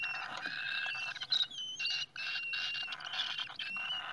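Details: Rasping, hiss-like calls from cockatiels at their nest, steady and dense with brief gaps, plus a few short whistled notes.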